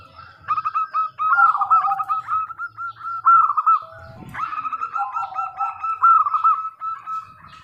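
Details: Zebra dove, local type, in lively song meant to lure other doves into replying: two long runs of quick rolling coos split by a short pause and a thump.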